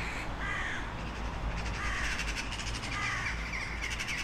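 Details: Crows calling with hoarse, drawn-out caws, several overlapping over about four seconds, set against steady low-pitched background noise.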